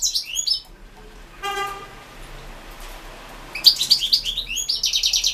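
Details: European goldfinch song from a 2016 internet goldfinch singing championship; brief high twittered notes, a short buzzy, nasal tone in the middle, then a dense, lively tinkling phrase to the end.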